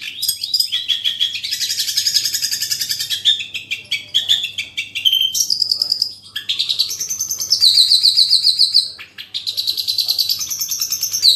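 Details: Long-tailed shrike singing a rich master song, full material with speed, dense rolls and shooting notes. Varied, nonstop high twittering runs with buzzy trills and fast repeated chip series, briefly pausing twice.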